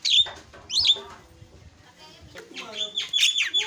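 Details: Starling lure call for waking a silent bird into song: sharp, squealing rising notes separated by gaps, then a louder cluster of harsh, whistled squeals toward the end.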